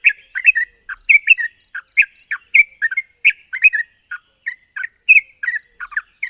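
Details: Yellow-vented bulbul song played to get silent, stalled bulbuls to answer; bubbly, chattering mid-pitched notes, some with short rising slurs, delivered in quick irregular bursts, with a faint steady high whine behind.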